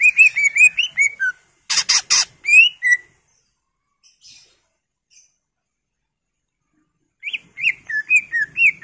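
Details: Greater green leafbird delivering a fast series of whistled, slurred notes, a loud harsh rasping burst, then a silent gap before another run of swooping whistles.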